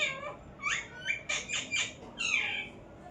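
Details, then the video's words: A parrot screeches in a string of loud, rising and falling harmonic calls, some rasping and buzzy, closely spaced over a few seconds. "parrot sound"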